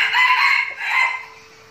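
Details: Captive red junglefowl decoy bird from a training flock in Binh Phuoc, Vietnam, giving one short, hoarse, two-part crow that fades at the end, over a faint steady hum.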